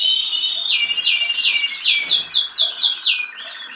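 A canary sings a bright, high trill of quick downslurred notes, about four per second, over a steady high whistle.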